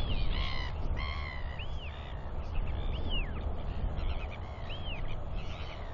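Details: Royal albatross chicks around a feeding father on 9 June 2021; harsh stacked calls open the passage, followed by several arched rising-falling whistles, with low wind rumble throughout.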